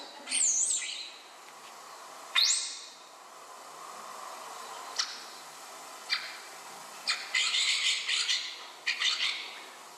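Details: Common starling, a mimic that copies oystercatchers, harriers and blackbird alarm calls to impress its partner: a swooping whistle and a sharp rising whistle with scattered clicks, then bursts of harsh, rasping chatter.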